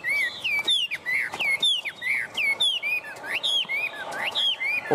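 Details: Tame caged Chinese hwamei delivering loud, repeated phrases, each a bright whistle sliding downward, given roughly once per second with short pauses between.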